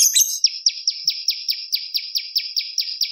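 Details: Bar-winged prinia song offered as a lure and training master: a brief high squeak, then a steady rapid string of about five sharp, downward-sweeping chip notes per second.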